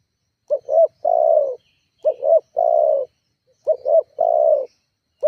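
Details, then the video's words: Luring call of a spotted dove aimed at provoking rivals; three full phrases, each a pair of short rising coos then a long mellow falling note, repeated roughly every one and a half seconds, ending on a fresh start. "Suara tekukur GACORR menekan emosi lawan"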